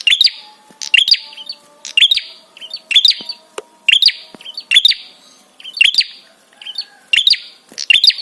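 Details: Prinia giving a 'trapi' call meant to provoke other birds into answering and to arouse them: sharp, high chirp bursts with clicking overtones, repeated roughly every second in an uneven run, with faint hum beneath.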